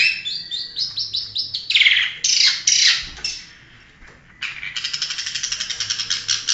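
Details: National champion long-tailed shrike giving quick high notes, harsh grating bursts, a short pause, then a rapid dense ticking chatter.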